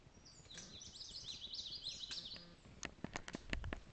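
An Indigo Bunting sings a quick run of high, sweet paired notes, followed by several sharp clicks and knocks against faint background noise.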